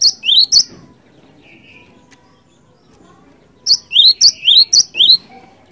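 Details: Cinereous tit song used as a lure, delivered in an energetic rolling style. A couple of high-then-rising whistled phrases come first, then a pause, then a quick run of about five repeated two-note phrases.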